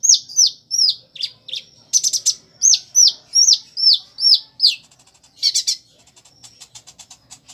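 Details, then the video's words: Van Hasselt's sunbird singing strongly, its song including mimicry of prinia, sparrow and chicks: a string of clear, downslurred high whistles about three per second, then a short buzzy burst and faint rapid ticking. "Kolibri Ninja (Konin) Gacor Isian Ciblek, Gereja, Anak Ayam, Dll"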